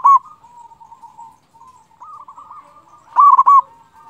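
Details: Local zebra dove in lively form, used as a lure to excite other doves into singing: two loud, quick cooing bursts, at the start and near the end, over a steady run of softer, lower cooing from further doves.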